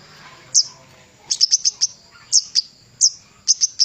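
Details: Javan cochoa used as a master recording for training songbirds: sharp, very high chirps given singly and in short clusters of three or four, spaced by brief pauses.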